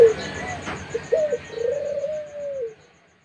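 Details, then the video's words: Young Barbary dove giving one phrase: soft short notes, a quick rising note, then a long, steady, low coo that fades away into quiet. "Puter Pelung Muda"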